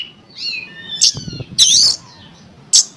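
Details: Oriental magpie-robin singing, used to goad other magpie-robins into song: a soft falling whistle followed by three loud, harsh, rasping bursts spaced by short pauses.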